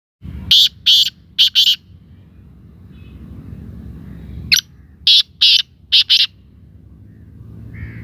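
Black francolin giving loud, harsh, grating notes in two rhythmic phrases, a four-note phrase followed by a longer six-note one, over faint background hiss.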